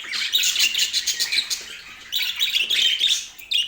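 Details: Budgerigars kept as pets in Portland chirp and warble rapidly in a bright, high twittering stream with a short pause midway, then scratchy squeaks resume.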